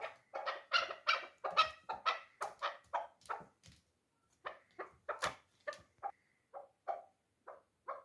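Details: Dulan chukar kept for hunting, three years old, giving a fast series of loud, coarse chuk notes, a short pause, then softer clucks spaced farther apart.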